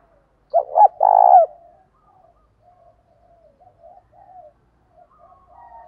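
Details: Spotted dove giving a 'thúc' lure call meant to draw wild doves in and provoke them to fight. A single phrase of two quick soft coos runs into a long, rough, trilled coo, followed by faint quieter cooing.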